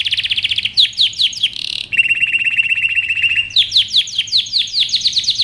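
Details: Aroused male canary courting a female toward mating, singing a quick high trill, then a buzzy churring note, then a long steady rattling trill, ending in rapid sweeping chirps.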